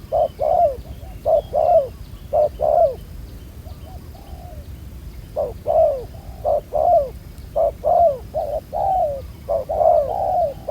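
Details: Black-collared wild-caught spotted dove, a good cooer, heard in a trapping setting. Phrases of low coos, short then long and falling, break off briefly midway before resuming.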